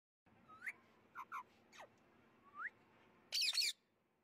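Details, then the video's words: A white ringneck (rose-ringed) parakeet gives a few short rising whistles and clipped double notes, then ends with a loud, harsh screech. "White Ringneck Parrot"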